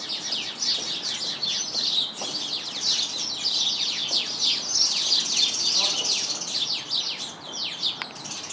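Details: House sparrows chirping from a bush full of sparrows: a dense, continuous chorus of sharp, high chirps and tweets overlapping rapidly, several birds calling at once with no pause.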